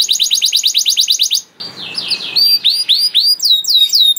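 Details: Canary master song for young canaries, opening with a rapid even trill, then a short scratchy phrase and a run of looping whistled slurs.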